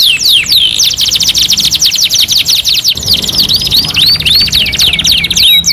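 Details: Canary singing on a two-in-one master recording: a long fast rattling trill held for about two seconds, followed by spaced rising whistled slurs.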